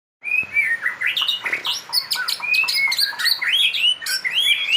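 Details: Caged white-rumped shama singing, kept as a fighter songbird: rich, fast varied song of clear whistles, rising and falling slurs, sharp chips and buzzy notes poured out continuously.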